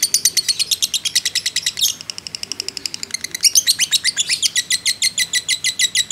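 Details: Fighter-type lovebird in extended ngekek chatter, used as a lure: rapid buzzy high pulses that briefly soften and thin out midway, then return louder and harsher in a steady rattling stream.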